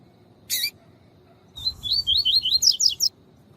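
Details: Captive Double-collared seedeater delivering a tui tui song for training males: after a loud click, a rapid string of about ten upward-sweeping whistles that grow higher and sharper toward the end.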